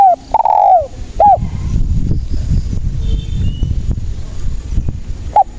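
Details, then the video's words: Spotted dove song, used as a lure for trapping: one loud phrase of short coos ending in a drawn-out falling croo, then low rumbling noise and a single coo at the end. "SUARA BURUNG TEKUKUR GACOR INI PALING AMPUH UNTUK PANCINGAN DAN PIKAT DERKUKU MALAS BUNYI"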